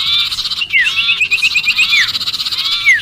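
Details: Sirpu calling in distress as if pinned, played to lure other birds: steady harsh chatter with a quick series of short rising chips and a few long falling squeals.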